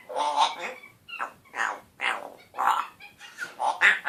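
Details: A one-year-old pet African grey parrot talking in a slightly scratchy voice, saying words such as hello, hi and good boy: a run of short, rough, speech-like syllables in quick bursts with brief pauses between them.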